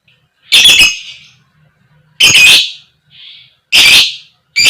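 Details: Lure calls of a female fighter lovebird in the koek koek style: loud, harsh screeches repeated about every one and a half seconds, with a soft short chirp tucked between two of them.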